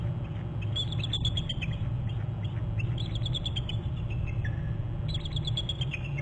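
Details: Two eagles calling and alerting at their nest territory on Hornby Island on January 11, captured by a nest camera: two bursts of high, thin chittering notes that step downward in pitch, over a steady low rumble.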